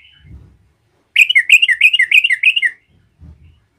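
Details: Yellow-vented bulbul in full song to provoke rival bulbuls; a rapid, bubbling run of about seven warbled notes rising and falling, lasting under two seconds, with faint low thumps before and after.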